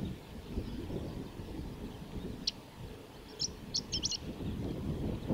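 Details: Male chestnut-eared bunting singing at the Kitafuji training area, Japan, on 21 May 2017: a brief burst of high, clipped notes in a quick jumbled phrase under a second long, over a steady low rumble of wind or distant traffic.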